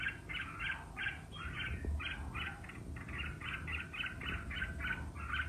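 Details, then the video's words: Red-whiskered bulbul in competitive singing, used to rouse other bulbuls into fired-up duelling song: a fairly faint run of short warbled notes repeated evenly over low background rumble. "Chào Mào Hót Đấu - Kích Chào Mào Hót Đấu Căng Lửa - Chào Mào Ché Sung Lửa, burung merbah jambul"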